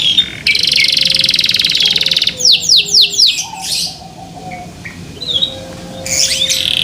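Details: Kept canary singing loudly: a dense buzzing roll, then a run of sweeping downslurred notes, quieter twitters and a steady low hum, ending in renewed trills.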